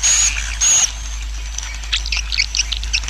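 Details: A swiftlet colony's roosting call, played to help a colony grow: two harsh, buzzy bursts with a thin high whistle, then scattered quick high chirps and twitters over a steady low hum.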